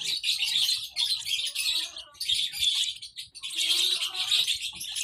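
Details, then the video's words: Shrill chirps from baby lovebirds come in loud bursts about a second long, separated by short pauses. "lovebird sounds baby bird - lovebird chirping sounds"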